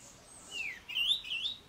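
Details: Cape robin-chat singing in a garden: a short burst of high, sliding whistled notes, a falling slur followed by quick rising and wavering tones.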